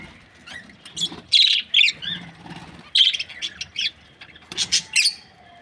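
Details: Budgerigars kept in breeding pairs chatter with squeaky chirps and short warbled notes in loose bursts, some harsher squawk-like syllables mixed in, with brief quiet gaps between.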